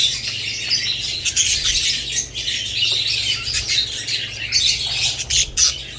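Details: Budgerigars keep up a bright, continuous twitter of short squeaky chirps, punctuated by sharper clicks, above a constant low hum.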